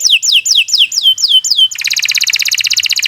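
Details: Canary in continuous song for tutoring other birds: six quick falling whistled notes in a row, then a bright, fast rattling trill with layered high tones.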